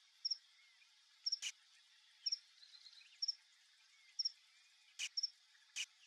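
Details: A male Burnished-buff Tanager visiting a backyard fruit bait of papaya and tangerine gives thin, high double chips about once a second, with a few sharp clicks and faint background hiss.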